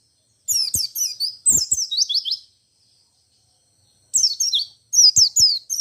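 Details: Singing white-eye, 'ngalas ngerol nembak' style said to provoke other white-eyes to sing; two dense runs of high, fast, slurred chirps, then a silent gap before two more bursts, light clicks mixed in.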